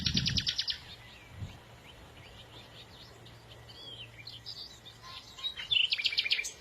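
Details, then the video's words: Small birds singing: a loud burst of rapid buzzy chirps at the start, quiet stretch with faint twitters and a low hum, then bright high chirps and a trill near the end. "إذا كنت تعشق سماع تغريد العصافير"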